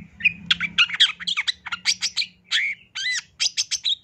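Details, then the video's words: Long-tailed shrike in energetic 'gacor' masteran song: fast series of high chips and squawky notes, a few sustained arched whistles near the end, then more quick chips; low hum early on. "Kicauan Cendet No #1❗SUARA Masteran Cendet Gacor FULL ISIAN JOS"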